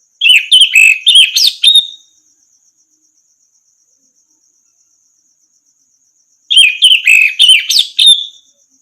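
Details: Orange-headed thrush song meant to teach other birds to sing: two matching phrases of rapid warbled and whistled notes ending in a drawn-out falling note, separated by about five seconds of quiet; faint steady high ticking in the background.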